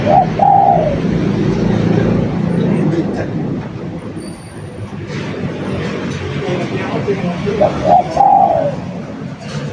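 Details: Spotted dove coo phrases, one at the start and another near the end, each low, hollow and slightly descending, with a steady hum and murmured voices between them.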